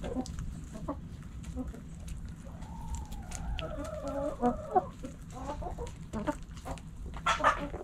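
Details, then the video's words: Backyard hens and roosters pecking and scratching; a long, level drawn-out vocalization with overlapping clucks midway, followed by rapid clucking bursts and a loud squawk at the end, with scratching clicks. "Backyard Chickens Hens And Roosters Pecking Scratching Sounds Noises Hens Clucking Roosters Crowing!"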